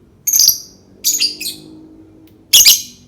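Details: Lovebird calls meant to prompt other lovebirds to sing: three bursts of sharp, high, buzzy chirps, the last pair loud and harsh, with quiet gaps between.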